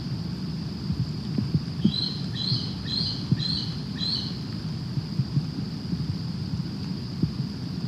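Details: Bald eagle at the nest in Decorah, recorded on the morning of 22 August 2020 around 6 a.m. on a nest camera: a series of five short, high piping notes spaced about half a second apart, over a steady low rumble.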